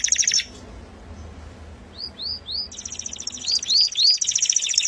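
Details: Canary singing a melodious song: a rapid high trill, then a series of rising whistled upslurs, followed by another fast rattling trill mixed with more upslurred notes.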